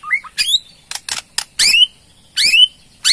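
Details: Borneo white-rumped shama ketrekan, a rattle to provoke a response: loud buzzy harmonic notes with rising sweeps, broken by short dry chatters, in a small room.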